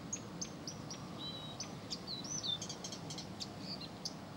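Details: Unceasing Blyth's reed warbler song: a series of clipped high notes, then drawn-out whistles and buzzy trills in a rapid varied sequence, with faint low background noise.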